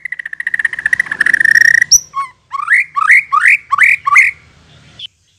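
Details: Lure song of white-rumped shama to draw an answer: a rapid rattling trill on one pitch, then a string of loud rising whistled slurs repeated quickly, with faint low background noise.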